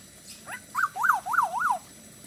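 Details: Black-naped oriole, a bird noted as typical of Bali, giving four quick fluty whistles in about a second, each sliding up and then down in an arch, against a quiet background.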